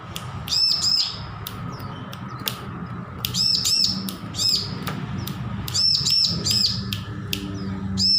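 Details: Newly weaned bar-winged prinia working on its song: groups of quick, high, arched chirps recur every couple of seconds, mixed with sharp clicking taps, over a steady low hum.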